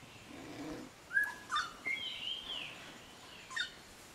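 Eared pitta giving a few clear whistled notes, some sliding up and others drawn out and falling, over a faint low murmur at the start.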